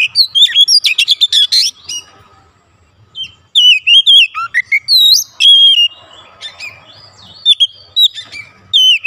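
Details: Oriental magpie-robin prompted once and singing hard: rapid bursts of loud whistled and looping notes, a quick stuttering series at the start, a silent pause, then further varied whistles and twisting slurs.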